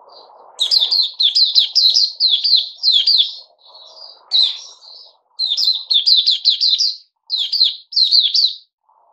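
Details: Puteh Raja bulbul after a fruit juice, mealworm and health drink combination, dated 08-05-2021: rapid series of sharp, bubbly chirped phrases, near-continuous with brief pauses, a faint low rumble at the start.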